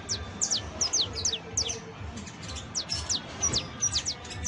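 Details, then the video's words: Saffron finch, locally called canario criollo and described as a fine exemplary singer, giving a song of short, sharp, high chirps that slide downward, delivered in quick irregular bursts over a low background hum. "CANTO DE CANARIO CRIOLLO EJEMPLAR [SICALIS FLAVEOLA]"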